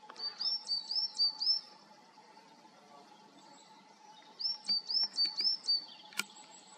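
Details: Coal tit in conifer woodland, Serra da Groba, Galicia, giving its high, thin two-note tit-tuii call, rising then falling, about four per second in two quick bursts, over a faint steady hum and one sharp click.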